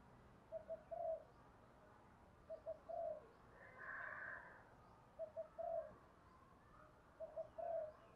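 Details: Spotted dove cooing to lure wild doves, in quick 'thúc' and calling styles. Short two-note stutters run into a longer rolling coo, with phrases repeated about every two seconds. A brief higher hum sounds midway over a quiet background hiss.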